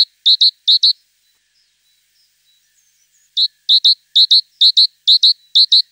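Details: Tit giving clipped, high, paired notes: a few at first, then silence, then a regular series of doubled chirps repeated about twice a second.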